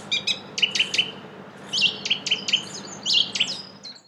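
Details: Song thrush singing in Brussels, Belgium, April: loud emphatic notes repeated in series of three to four, each phrase a sharp clipped note, followed by a brief thin whistle; faint hum behind.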